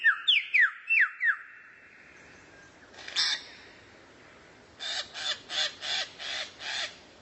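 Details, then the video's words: Bird recorded as tutor material for white-rumped shamas: five quick whistled notes, each dropping in pitch, then a pause and a burst of six harsh scratchy notes repeated about three times a second. "MASTERAN BURUNG LANGKA YANG BISA JADI SENJATA PAMUNGKAS BURUNG KACER"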